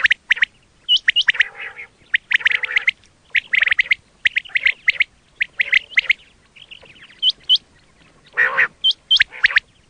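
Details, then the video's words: Quail calls for hunting: dense runs of rasping, chattering notes in bursts, a few clear high upslurred whistles, and occasional harsher nasal squawks spread over ten seconds. "quail 2024 Fresh sound Batair Ki awaz"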